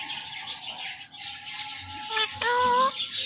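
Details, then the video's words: Indian ringneck parakeet pair, male and female, kept as pets, calling in the morning. A long faint whistled tone, then a loud, clear, sustained harmonic call in the later part over a hissy background. "Ringneck Parrot Making Natural Sounds and Voices"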